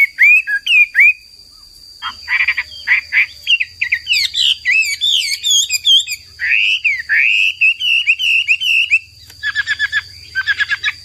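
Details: Hwamei (wambi, hoa mi) cagebird singing persistently for tutoring other birds: varied whistled phrases, rapid sweeping notes, a long wavering whistle, then quick repeated trill-like notes, with a constant high-pitched electrical tone throughout.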